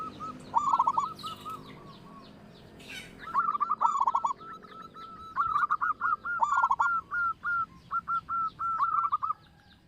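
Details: Loud local zebra dove, kept as a lure for other birds, sings rolling stuttered coo phrases, each trailing into a chain of short, regular coos, with pauses between bouts.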